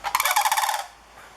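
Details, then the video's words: A pair of sandhill cranes in front of a stand of bamboo bugle loudly, a rolling, trumpeting rattle of about a dozen throaty pulses lasting under a second, then quiet; the calling starts in the morning. "The 'trumpeting' sound of sandhill cranes"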